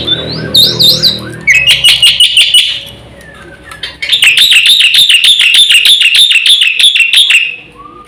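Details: Black-winged myna full song with fill-in phrases, a lure and tutor recording: looping whistled notes, a harsh chatter, a brief quiet spell, then a long fast wavering whistled trill.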